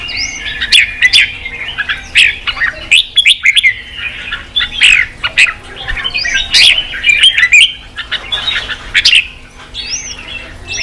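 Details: Red-whiskered bulbul song, played to rouse newly caught birds to fight and to train their voice: dense, lively whistled phrases bouncing between mid and high pitch with short gaps, sharp chirps interspersed and a faint background hum.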